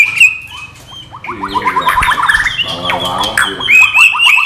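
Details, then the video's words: White-rumped shama delivering non-bubbling training-material song: clear whistled notes, then a fast run of short repeated chips and rattling phrases, returning to bright whistles. "MATERI BURUNG MURAI BATU NON GELEMBUNG"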